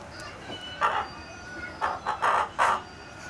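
A hen gives five short, harsh, nasal clucks, one alone and then four bunched close together near the end, over a faint steady background hum.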